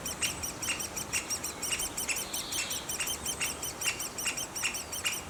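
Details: Great spotted woodpecker nestlings in their nest give a fast, continuous chatter of high, squeaky arched notes, about two to three per second, overlapping, with occasional sharp clicks.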